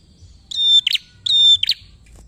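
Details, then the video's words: Prinia, used as a prompt for other birds: two high whistled notes, each ending in a scratchy buzz, in quick succession. "PRENJAK GACOR untuk pancingan bunyi prenjak bahan"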